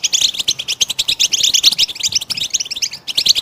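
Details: A goldfinch sings a quick, lively twitter of high, tinkling and chirping notes, strung tightly together with a few brief gaps and scattered short buzzes.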